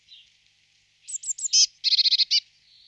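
A Eurasian blue tit gives three thin, high, falling notes, then a quick buzzy, scolding chatter of about seven harsh notes.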